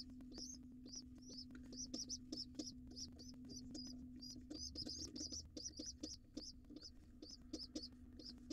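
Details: High, thin peeping from a wild pigeon nestling joining its father for breakfast in a nest box. Short squeaks come in a fast, fairly even series of about three to four per second over a constant low background hum.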